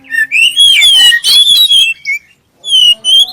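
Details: Short burst of clear lure song from a black-chested oriental magpie-robin, used to prompt other magpie-robins to sing: rich slurred whistles and rapid notes, a brief silence, then two more whistled phrases.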